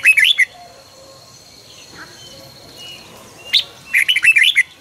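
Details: Red-whiskered bulbul singing in the morning for căng lửa song training: a quick warbled phrase, quiet soft calls in between, then a single sharp note and another bright tumbling phrase of rapid rising and falling whistles.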